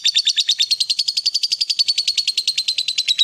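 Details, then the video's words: Lovebird of fighter type giving a loud, rapid chattering ngekek as a lure for a silent bird: close, buzzy pulses around eight per second, slowly dropping a little in pitch over three seconds. "Pancingan Suara Lovebird Gacor Fighter"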